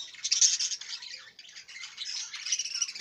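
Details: Budgerigar keeping up a steady, unbroken warble of raspy high chirps and squeaks for about three seconds.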